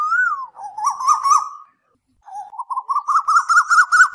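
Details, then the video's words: Night lure recording of Asian koel: a falling whistle, then a wavering note that climbs gradually, then a long series of rapid pulsed notes rising steadily in pitch. "Tiếng Tu Hú Đánh Đêm 2024 ( File Hú 77 )"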